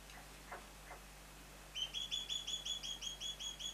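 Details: A pair of juvenile Mountain quail, three months old: after a few soft, faint notes, one bird gives a quick run of about eleven thin, high whistled notes, each sliding slightly down, over a low steady hum.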